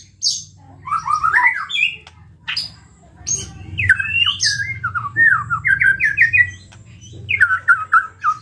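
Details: White-rumped shama song played to trigger other shamas: clipped whistled notes in quick series, several rising-falling slurred phrases repeated in rows, over a steady low hum.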